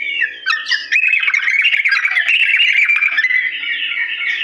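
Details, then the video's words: Sooty-headed bulbul performing an energetic, long ropel song meant for mimicry training: a rapid stream of squawky, warbled notes blending into a steady, wavering whistled chatter with no pause. "TRUCUK GACOR ROPEL PANJANG NADA PELAN ‼️ UNTUK BURUNG TRUCUK CEPAT MENIRUKAN"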